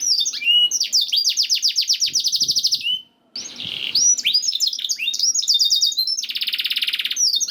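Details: Canary masteran for prompting canaries to sing: a rolling trill of rapid notes, a short break with faint noise, then varied chirps and a dense buzzy trill.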